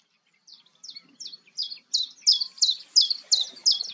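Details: Common chiffchaff at Goldcliff, Newport Wetlands, 11 April 2022, giving a steady series of high, clipped, falling notes about three per second, starting soft and growing louder through ten notes.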